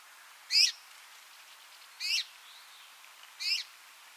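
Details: Red-mantled Rosefinch repeating a short, high, bright chirp three times at irregular intervals of roughly one and a half seconds, each note layered and slightly falling, with quiet faint twitters in the background.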